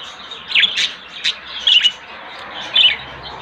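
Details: A white budgerigar from a breeding pair that is laying eggs gives five or six short, scratchy chirps at an uneven pace, some bending up and down in pitch, over a soft background hiss.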